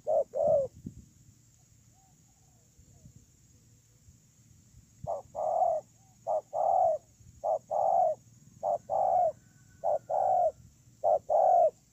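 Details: Ground decoy spotted dove, October 2018: one coo and a few knocks, then about four seconds of quiet before steady two-part coos resume, a short note then a long one, repeated five times.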